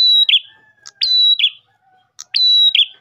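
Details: Ash tailorbird singing to attract other tailorbirds, giving bright sustained whistles that drop into a buzzy lower trill, each phrase preceded by a quick tick, with a faint low tone in the background.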